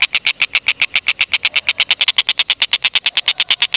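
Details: Rapid chattering 'ngekek' of a tengkek buto, an Indonesian native bird, played to coax lovebirds into calling; a steady stream of bright clipped notes runs without a break throughout.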